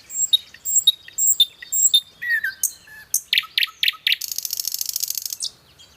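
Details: Nightingale singing varied phrases: sharp high chips and brief whistles, a few deeper rich notes, then a run of loud pulsed notes ending in a long, rapid, rasping buzz.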